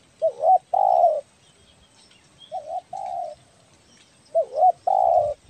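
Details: Spotted dove of the belah dada type, Kepri, Indonesia, recorded calling eagerly as a lure; three coo phrases, each a quick rising-falling double note followed by a long mellow hoot, over a quiet background.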